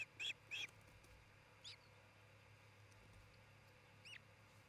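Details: Osprey at a nest near treetops in Charlo, Montana, recorded on 27 June 2018 in early afternoon. Two sharp whistled chirps come in quick succession, then fainter single chirps near two and four seconds over a steady low hum.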